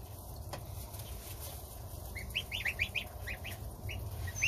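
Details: Goslings of domestic geese feeding on starter ration with their mother while the gander stands guard outside. A run of rising, piping peeps grows louder in the second half, over low, steady noise.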